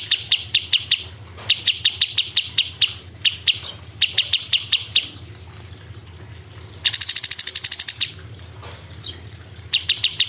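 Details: Cucak cungkok delivering sharp 'tembakan' phrases: short runs of rapid high chip notes separated by pauses, interrupted once by a dense, buzzy, very high rattle lasting about a second.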